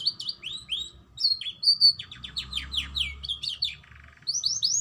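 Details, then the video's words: A canary sings a song mixing blackthroat and prenjak phrases: a fast, varied run of high, bright notes, with swooping whistles, quick falling chirps and a short dry trill, and brief pauses between phrases. "Kenari lagu blackthroath mix prenjak"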